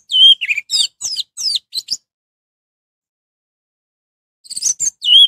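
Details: An orange-headed thrush sings to excite other thrushes into answering: quick twittering phrases with rising and falling slurs, about two seconds of notes, a silent gap, then another short phrase ending in a clear whistle.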